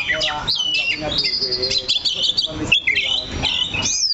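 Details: Caged Oriental magpie-robin fixed on one perch, giving harsh squawky phrases mixed with high whistled sweeps and a short buzzy stretch; a voice murmurs faintly beneath.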